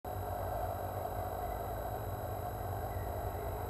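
Only a steady low hum and broad background noise can be heard, with no animal calls.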